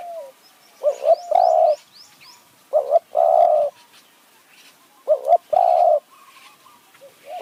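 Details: Spotted dove calling as a decoy for wild doves in high forest, Kanchanaburi, Thailand, in khu ang style: three repeated phrases, a clipped double coo followed by a sustained mellow coo, with faint chirps from other birds.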